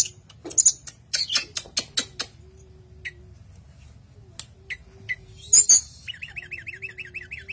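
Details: At night, a savanna nightjar gives sharp, high, buzzy notes in quick bursts over a faint low hum throughout. A rapid warbling trill from another creature follows near the end.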